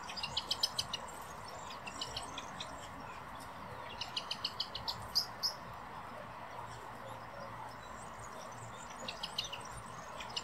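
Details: Common blackbirds, a female and a male, at the Real Jardín Botánico in Madrid, Spain; bursts of rapid high chattering notes repeated in short runs, with a steady low ambient hum beneath.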